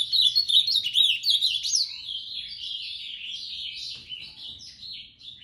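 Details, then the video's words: Azulão giving its moicano song, an unbroken stream of bright, tumbling warbled notes, loudest at the start and easing slightly toward the end, over near silence. "Azulão moicano"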